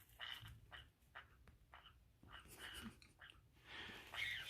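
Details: Female green-cheeked conure kept as a pet, burrowing in a pocket and tearing at it indoors, possibly in a mating mood: short, raspy squeaks and grating notes come in uneven bursts amid cloth rustling.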